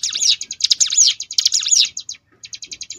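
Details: Sunda bush warbler song, a ngebrem-style variation used as a master recording for training contest birds; loud, dense bursts of high chattering trills with sweeping whistled notes, then a short pause and a run of rapid clipped chips.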